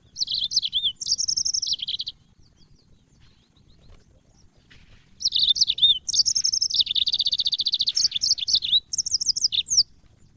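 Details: Yellow-fronted canary, the African Mozambique bird, singing as training audio for cage birds: two bright, high bursts of rapid trilled and warbled notes, the second long and varied, separated by a quiet gap of about three seconds.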